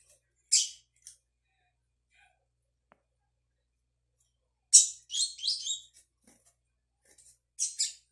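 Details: A young double-collared seedeater learning the "tui tui" song on 22 May 2022: high, scratchy chirps in brief bursts, with a quick run of jumbled notes in the middle and quiet gaps between.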